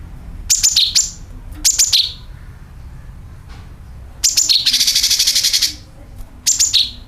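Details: A sooty-headed bulbul lure call: sharp, high chirp clusters sliding downward, repeated several times, with a loud, grating, buzzy rasp held about a second in the middle.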